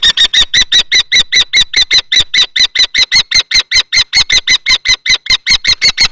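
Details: Two male common kestrels fighting over a nest box, Théding, March 2024; a very rapid, even chatter of around thirty sharp, ringing kee notes, about five per second.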